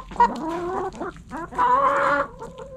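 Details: Backyard hens clucking while eating: a run of short low clucks followed by a louder, longer nasal call that rises and falls before fading.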